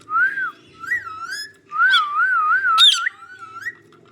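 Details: A green parrot, said to be talking, gives clear whistled notes that waver up and down in a wavy, trilling line. The notes come in short phrases with brief gaps, and there is one sharp, high squeak near the end.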